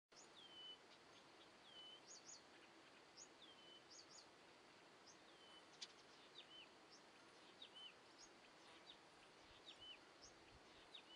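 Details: Common whitethroat fledgling calling: thin, faint whistled notes, each sliding downward, repeated every half second to second over a steady hiss of outdoor background noise.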